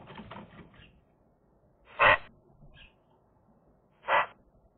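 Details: Eurasian magpie on a sunny day, caught on camera: soft scratchy chatter, then two separate loud, harsh, hoarse notes about two seconds apart.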